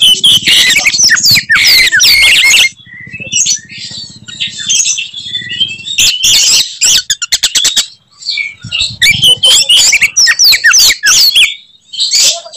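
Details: Oriental magpie-robin (kacer) singing in fighting style, its characteristic 'tembakan' phrases meant to make rival magpie-robins furious; dense bursts of high whistles and sharp clicks, broken by short pauses, over a low background hum.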